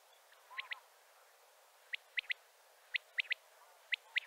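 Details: Male common quail calling to gather other quails: sharp, clipped three-note phrases, quick and evenly spaced, repeated about once a second after an opening pair of notes, over a faint lower murmur of other birds.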